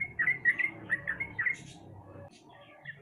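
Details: Sooty-headed bulbul lure to prompt a quiet bird to sing: a handful of quick warbled notes in short clusters during the first half, then fading to near silence with faint hum.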